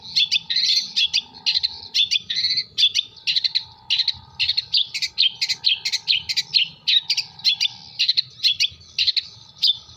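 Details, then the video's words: Long-tailed shrike singing mimicry material, namely kuntilanak, sparrow and tengkek buto, in Jember. It gives ten seconds of continuous, varied, harsh chattering chirps and squeaks in quick irregular bursts over a low background hum. "CENDET MATERI KUNTILANAK GEREJA TENGKEK BUTO"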